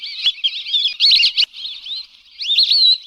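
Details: Lesser whistling ducks used as a hunting lure: loud clusters of whistled chirps separated by a quieter stretch. A drawn-out wavering whistle appears in the final second.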